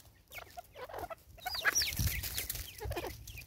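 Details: Female Natal spurfowl, described as angry, South Africa, 2024: grating cackles building up, then a louder burst of rasping notes mid-way. A thin whistled note rises briefly in the background.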